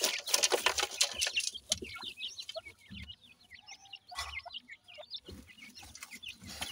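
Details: Grey francolin (Dakhni teetar) chicks under care at feeding; loud rustling at the start, then a rapid series of high, sliding peeps repeating several times a second.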